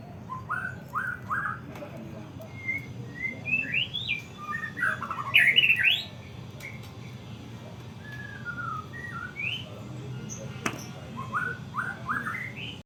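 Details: White-rumped shama kept caged, singing repeated upslurred whistles in quick groups, sharp high notes and falling slurs, with pauses between bursts and a low steady hum.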